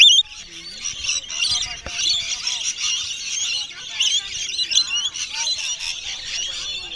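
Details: During feeding of wild rainbow lorikeets at Bungalow Bay, Magnetic Island, 26 December 2013, many birds shriek and chatter together in a harsh, high, unbroken wall of sound, with a sharp tap near two seconds and soft voices below.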